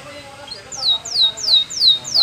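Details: Canary training song: a series of five clear whistled notes, each sliding sharply downward, spaced about every third of a second, over a faint low background murmur.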